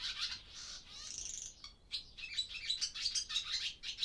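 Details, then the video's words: Barn swallows breeding in an old barn by day, captured on a Zoom F6 and Sennheiser MKH microphone; dense, rapid high twitters and warbling chatter, with slurred notes early on. "Barn Swallow Sound Library"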